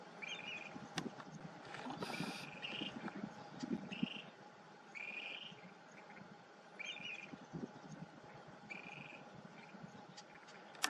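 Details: Clark's grebe at its floating nest on the water; short, slightly rising nasal calls sound about every one to two seconds over a steady background hiss, with a few sharp clicks and bumps.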